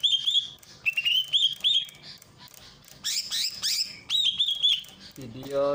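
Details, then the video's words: Greater green leafbird from Ujung Kulon, masteran training recording with a water fountain: varied warbled whistle phrases alternating with bursts of sharp sweeping notes, ending with a lower rising tone. "masteran cucak ijo dengan terapi air mancur"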